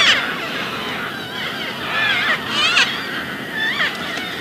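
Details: Philippine red-vented cockatoo, also known locally as katala: harsh, raspy, nasal screeches sliding up and down, several drawn-out calls over a few seconds against a steady background hiss.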